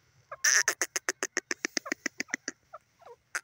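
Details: Francolin call: a quick run of sharp, clipped notes that starts loud and fades as it goes, followed by a few softer trailing notes.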